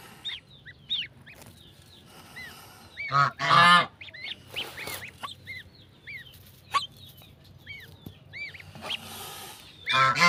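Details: Goslings with their mother goose on a farm: many high, arched peeping notes repeated throughout, broken by a few loud harsh honks and some rustling noise.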